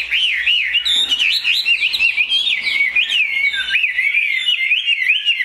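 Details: Tame, big-bodied caged Chinese hwamei, said to have an excellent voice, pours out loud, clear whistled song: looping, rising and falling notes in quick succession without pause.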